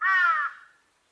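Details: A large-billed crow (Corvus macrorhynchos) gives one hoarse, rich caw as a call, about half a second long, sagging slightly in pitch at the end, with no other sounds.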